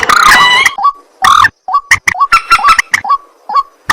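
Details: Night calling of a white-breasted waterhen: two loud, rough, drawn-out croaks, then a string of short, clipped, rising notes and sharp knocks.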